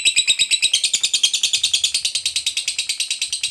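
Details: Fighter lovebird giving long ngekek chatter, used to prompt silent lovebirds to sing: a fast, steady run of high, sharp, buzzy notes repeated about eight times a second throughout, with no other clear sounds.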